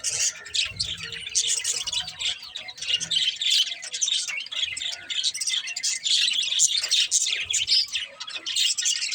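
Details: Continuous dense budgerigar chatter, a nonstop wash of buzzy, scratchy warbling and chirps with little pause throughout.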